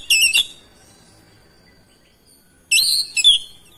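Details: Oriental magpie-robin singing back at another bird: a loud double whistled phrase, a long quiet gap with faint thin notes, then a second emphatic triple phrase of rich whistles.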